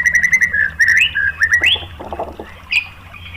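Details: White-rumped shama lure song to provoke other shamas: a series of short whistled notes, several rising slurs, then softer lower chatter and a final sharp note.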